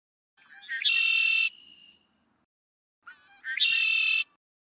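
Red-winged Blackbird giving its conk-la-ree twice: a few short clucking notes, then a loud, buzzy, ringing trill lasting under a second.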